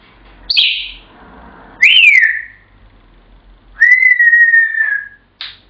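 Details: An African grey parrot whistles Pop Goes the Weasel: three clear, pure whistled notes. The first is high and short, the second slides down, and the third is a long, level tone, followed by a brief high chirp.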